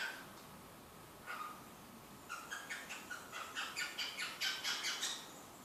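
A cockatiel gives a fast series of short, harsh chirping calls, building in loudness.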